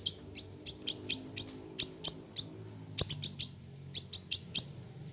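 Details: Small siri-siri bird, a recording used for training songbirds: thin, piercing high chirps in groups of several, spaced by short pauses, over a soft low hum.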